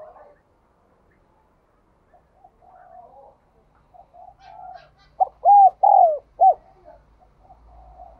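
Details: Spotted dove singing in the 'đồng kim', or bell-toned 'đồng chuông', voice style: soft, low murmuring coos at first, then a loud, resonant four-note cooing phrase of arched notes near the end, followed by quieter cooing.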